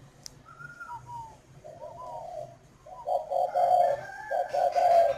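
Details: Captive spotted dove from northern Vietnam, singing in the 'khách' cooing style: deep, hollow coos rising in loudness and repeated in short phrases, preceded by a few thin higher whistled notes, with a click and faint background hiss.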